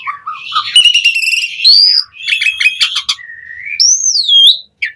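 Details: Asian pied starling singing to prompt other starlings: low whistles lead into buzzy rattles, then a steady whistle and a high, swooping whistled phrase.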